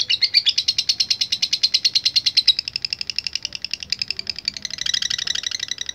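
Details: Lovebird delivering latah gacor song, used in bird contests to call out rivals: loud rapid high chatter that softens after a couple of seconds, then turns more ragged and buzzy near the end.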